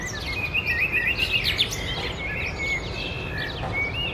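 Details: Summer song of a common nightingale, opening with a quick string of repeated clicking notes, then varied whistles and short rising phrases, other birdsong and steady rustling noise in the background.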